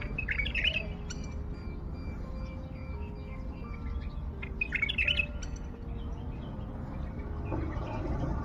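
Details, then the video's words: Wild bulbul from Baghdad, recently caught from a reserve and kept isolated, singing two short bursts of rich, warbled notes about four seconds apart, over steady low rumble and faint tonal background sounds. "احلى تغريد بلبل وحشي"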